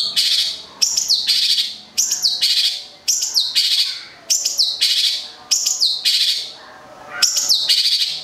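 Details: Local long-tailed shrike from Gedong Songo, Central Java, delivering loud repeated phrases, each a sharp rising-then-falling note followed by a harsh buzzy rasp, roughly one phrase per second.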